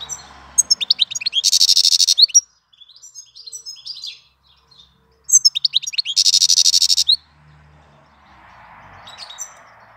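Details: European goldfinch singing in April: quick tinkling twitters and chirps, two dense buzzy trilled bursts around two and six seconds, sparse notes between and a soft hiss near the end.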